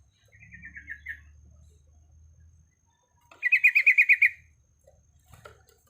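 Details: Female Sooty-headed bulbul in breeding condition calling to males: a short run of falling chirps, then a quick, evenly pulsed trill of about nine bright notes, with faint low rumble behind.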